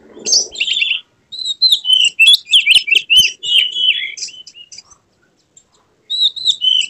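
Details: Agitated Oriental magpie-robin singing with its tail fanned, delivering a dense run of varied whistles, trills and sliding notes. A short pause follows, then the bird resumes with high chirping phrases.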